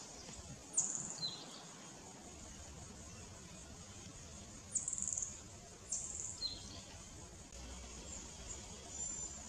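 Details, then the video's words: Downy woodpecker (Dryobates pubescens) at the Theodore Roosevelt Area of Timucuan Preserve: sharp, high calls in short bursts near the start, middle and later, each trailed by a lower falling note, over a steady faint hiss. "Downy Woodpecker (Dryobates pubescens)"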